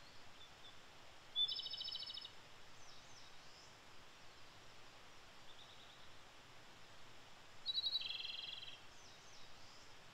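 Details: Wild Japanese robin singing in early May in Japan: two separated loud trilled phrases, each a rapid rattling series about a second long, with faint softer notes between and quiet background hiss.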